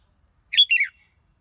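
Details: A single quick red-whiskered bulbul phrase: a clear whistled note followed by a short, descending warble, all within half a second, with no other sound.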